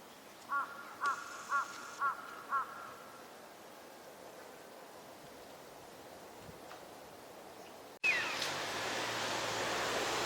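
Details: Eurasian Wigeon, a winter visitor, at a park pond in Chiba, Japan, in February 2026: five clear whistled notes, about two a second, then quiet, ending in a sudden burst of loud rushing noise.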